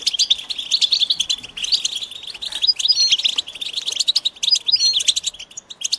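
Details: European goldfinch readiness and mating calls played to encourage a silent male to sing: busy, buzzy twitter with scattered clear whistled notes standing out over the chatter.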